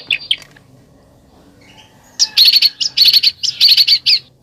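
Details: Two quick chirps, then a pause, then besetan bird song breaks out in loud bursts of harsh, rapid, crackling notes repeated in short clusters.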